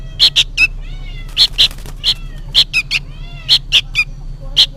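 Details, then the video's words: Juvenile sooty-headed bulbul calling noisily and insistently, as if summoning its parent: short sharp chirps around 3–4k, often paired or in quick clusters, with a steady low hum underneath. "suara burung kutilang anakan gacor ribut seperti memanggil induknya"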